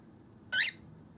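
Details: A pet cockatiel, eager to step onto a hand, demands it with one brief, harsh, squeaky "ge!" call lasting about a fifth of a second, rich and bright, against a quiet indoor background.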